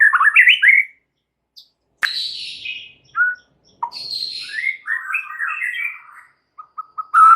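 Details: White-rumped shama, a single bird, singing in the busy, chattering 'extra rewel' style: clear whistled phrases sliding up and down, short bright notes and a buzzy burst, separated by brief silences.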